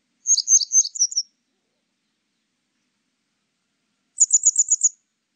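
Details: Grey wagtail calling, 2020 recording from Korea's National Institute of Biological Resources: a quick series of high, sharp tsit notes, then after a long gap a tighter run of five or six rapid chips.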